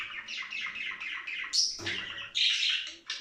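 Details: Budgerigars during mating, used to excite other budgies into play, singing and breeding: a steady stream of quick chattering notes, then louder shrill squeaks and a buzzy burst toward the end.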